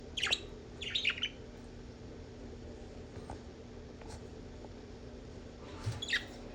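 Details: Budgerigars, alert, give a few sharp, high, scratchy chirps back and forth, with a quiet indoor hum between them.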